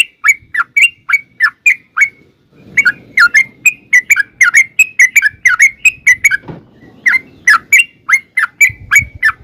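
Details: Yellow-vented bulbul lure song: long runs of bright, bubbling chirps repeated rapidly, broken by one brief gap, with light low-pitched background noise underneath.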